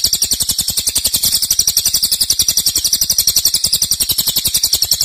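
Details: Cililin giving loud, extended nembak song for training cage birds: shrill buzzing pulses, high in pitch, repeated steadily at roughly four per second throughout.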